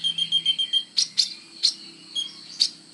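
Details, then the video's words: Sunbird song as training material for songbirds: thin high whistled notes, then sharp clicking chirps spaced irregularly over a low steady hum. "SUARA BURUNG KOLIBRI NINJA GACOR FULL TONJOLAN"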